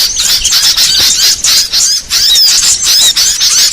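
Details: Small-bird trapping lure: many shrill, rapid twitters and squeaky chirps overlap in a loud, steady chorus of high notes, with short pauses at intervals.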